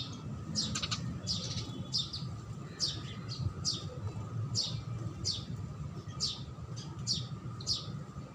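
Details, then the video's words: House sparrows give short, bright chirps, a few every second or so, over a steady low rumble. "Sparrow Sound"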